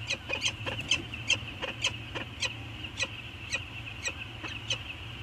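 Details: Peregrine falcon pair circling one another at Anacapa on a morning in 2019, giving sparser short clipped notes spaced irregularly a few tenths of a second apart, against a persistent high whine and low background rumble.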